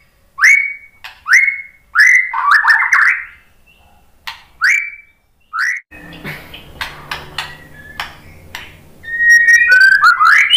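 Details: White-rumped shama song meant to trigger other shamas: clear rising whistles in quick series, a pause, then scratchy clicks and a burst of fluty warbling, with faint background hum.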